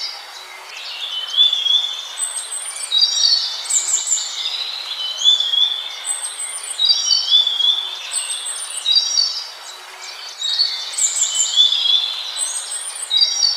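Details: Scaly-breasted munia (Nutmeg Mannikin) repeating a short phrase of high squeaky notes and thin slurred whistles about every three seconds, each phrase much like the last, over a faint hiss.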